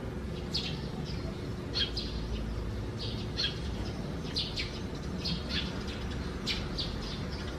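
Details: Sparrows at their nest under house eaves on a June 2020 morning give lively, rapid chirps in irregular clusters, persisting throughout against a low droning hum.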